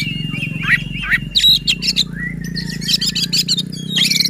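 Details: White-rumped shama singing to provoke rivals: a held whistle and bursts of rapid chattering notes, with a strong low droning hum throughout.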